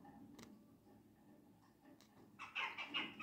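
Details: Jackdaws raiding a bird feeder on 16 December 2022. A quiet, rumbling start gives way to a burst of harsh, short 'chak' calls overlapping in quick succession during the final second.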